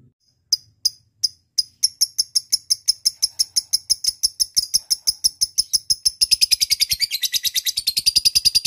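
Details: Lovebird 'ngekek' lure call aimed at a rival: spaced high chips speed up into a steady ticking series, then merge into a dense, fast, rasping chatter near the end.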